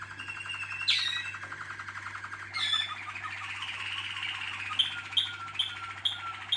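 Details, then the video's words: Malinois Waterslager canary: a drawn-out rolling trill broken by sharp high accents, ending in a string of short ringing notes repeated about every half second, over a steady low hum. "malinois Waterslager"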